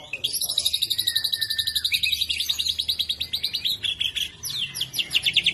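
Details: Young white-rumped shama, kept as a cage bird, delivering a fast, high, rattling run of repeated chattering notes with shifting whistled phrases, with a faint low hum in the background.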